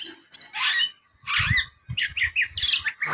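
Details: Young Oriental magpie-robin in ngriwik, working in sparrow notes: harsh, broad chirps, then a quick string of slurred, warbled notes over low thumping noise.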